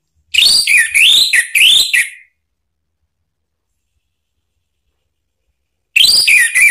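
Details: Orange-headed thrush singing a lure phrase meant to make another bird sing: looping, up-and-down whistles repeated three or four times, a long pause, then the same swooping phrase resumes.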